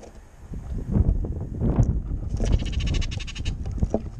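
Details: Baltimore orioles bickering for jelly at a backyard feeder in the wind; a rapid, scratchy chattering run starts halfway through and lasts about a second and a half, over loud gusting wind.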